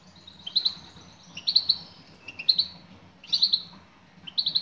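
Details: Female European goldfinch giving calls to attract a male: rapid groups of two to four sharp chirps recurring about once a second, evenly loud, with low background hum.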